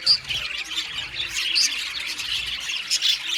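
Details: Budgerigar colony in an aviary, many birds chirping and warbling together; bright, scratchy high notes and squeaky whistles pour out nonstop, with a few sharper squawks standing out.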